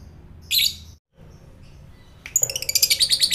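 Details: Indonesian fighter lovebird, recorded to provoke other lovebirds: one harsh squawk, a brief silence, then a rapid run of high, buzzy chattering notes.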